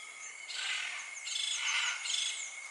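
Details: Scarlet macaw in Costa Rica giving two harsh, raspy squawking bursts, the first around half a second and the second near one and a half seconds, over a steady high insect drone.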